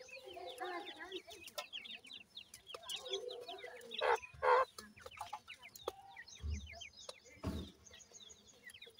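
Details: Grey francolin with its chicks: a dense chorus of thin, high, downslurred peeps from the young, with brief louder clucks and scratchy bursts near the middle and end, faint low rumble beneath.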